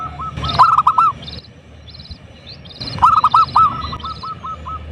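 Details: Lure recording of a loud local zebra dove meant to provoke rivals: two bursts of quick, slightly hoarse cooing notes, the second longer and trailing off, over a steady low rumble of background noise.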